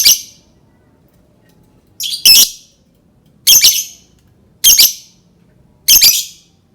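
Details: Lovebird described as learning to 'type' (ngetik): five harsh, shrill, buzzy squawk bursts, roughly one every 1.2 seconds, some with a sharp double onset and clicky edges, in near-silence between calls.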